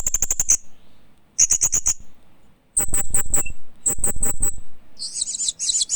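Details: Green hanging parrot (Loriculus) giving very high, thin chirps in quick bursts of four to six, roughly every second, ending in a buzzier high trill; faint knocking underneath.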